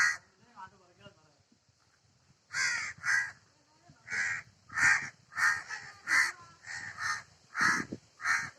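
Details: A soft tonal murmur, then a long run of loud, hoarse crow caws repeated roughly every half second, some doubled, over a faint constant hiss.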